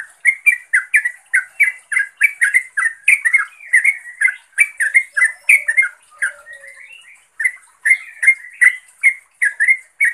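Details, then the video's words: A yellow-vented bulbul calls a rival or companion in long, rapid chattering runs of bubbly notes, loud and continuous, with one brief lull midway before resuming. "Suara Turcuk Memanggil Lawan/Teman"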